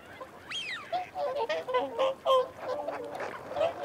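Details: Whooper swans giving feeding and territorial calls alongside wigeon and mute swans: a dense, overlapping series of short nasal honks, several per second, with a single rising-then-falling whistle near the start.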